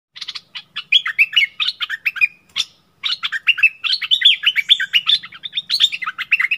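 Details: Bulbul in a fierce singing duel with a wild bird, recorded 27 March 2021; rapid, dense bursts of bright chirpy, warbling notes that rise and fall, with short pauses and almost continuous overlapping phrases.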